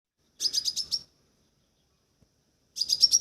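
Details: Crimson sunbird calling: two bursts of four to five rapid, high, sharp chirps, one near the start and one at the end, with a long quiet gap between.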